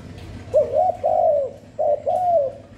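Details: Spotted dove cooing continuously with no background noise, used to lure and stimulate other doves; soft mid-pitched coos, a short clipped note and then longer gently falling coos, in two close phrases.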